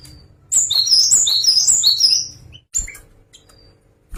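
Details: Java sparrow singing a rapid two-second run of bright, high, bell-like chirps in stepped descending patterns, followed by a few scattered single notes and a soft thump, with a low hum beneath.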